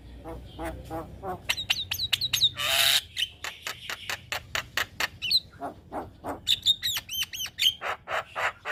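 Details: Javan myna song played as a master recording to prompt young mynas: a fast, varied run of dry clicks, harsh rasping squawks and sharp upslurred whistles. A long noisy burst sits near the start.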